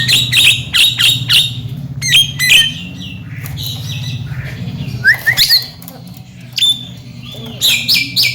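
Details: Javan myna, a chatty bird said to be able to talk and groomed as a future contest champion, giving bursts of harsh, squeaky chattering notes in quick clusters separated by short pauses, over a steady low hum.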